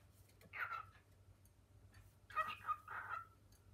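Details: Pet male cockatiel indoors, exploring kitchen cupboards with his female companion and calling her to come in learned words; a short talking syllable, a pause, then three quick harmonic talking syllables, with a low steady hum underneath.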